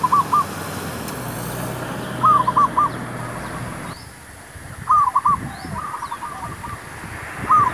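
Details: Zebra dove cooing used as a lure for trapping wild doves outdoors: short groups of rapid, stuttered mid-pitched notes recurring every couple of seconds over steady rural background noise, with faint higher bird chirps.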